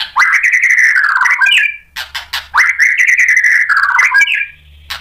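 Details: White-rumped shama song played to provoke other shamas into singing: two long, loud whistled phrases with a quavering tone, each ending in a brief rising flourish, separated by a short pause.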